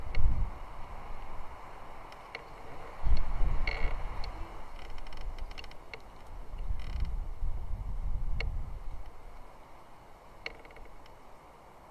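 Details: Low rumbling wind and handling noise with occasional faint clicks and creaks, but no clear animal calls.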